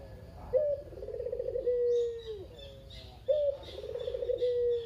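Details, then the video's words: Kept male Barbary dove, a local kugeru-type bird and the survivor of a pair after the female died, very chatty, cooing to lure other doves into calling: two rolling coos, each opening with a sharp rising note then a long falling purr. "Burung Puter Lokal (kugeru) gacor abis // Pancingan burung puter lain biar bunyi"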